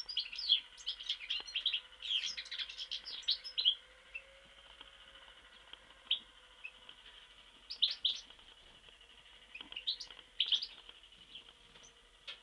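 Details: Goldfinch from Mostar starting with a rapid, jangling twitter that fades into scattered short chirps and isolated bright notes, separated by longer quiet gaps over a steady low hum.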